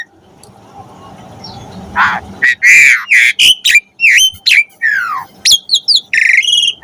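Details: Asian pied starling song for training pet starlings: after a faint murmuring start, loud slurred whistles, downward swoops and harsh rasping notes follow in an irregular, jumbled sequence.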